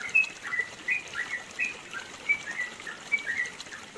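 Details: Mountain recording from East Java of a yellow-vented bulbul's long training song, a run of short sweet whistles and downslurred chirps spaced closely, with light background hiss.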